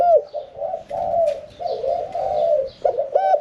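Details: Caged spotted dove, kept one year four months, with a middle-pitched voice and a 'khan yon 1 kuk' song style; low, rolling coos run in long rounded phrases, ending in a short arched note.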